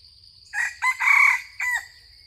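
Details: Loud crow of a junglefowl during decoy luring: after a quiet start, four linked bursts follow, the third long and ringing, the last sliding downward. Soft insect buzz continues underneath.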